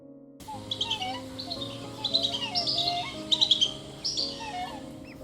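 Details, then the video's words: In NSW, Australia, high, thin whistles from a wandering whistling duck come in quick irregular bursts over a muted swan call and a hum of other waterbirds. These include wood ducks, chestnut teal and Pacific black ducks on a mudflat. "Above the muted call of the swan, you can hear the whistling duck's whistle."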